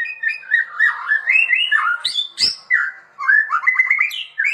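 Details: Murai batu, the white-rumped shama, singing actively as a master song for training: rich, fluid whistled phrases wandering up and down in pitch, broken by two sharp clicks midway.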